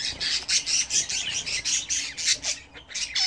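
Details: Budgerigars kept as pets at home, calling during bathing with harsh, rapid squawks repeated several times a second in a steady pulsing stream.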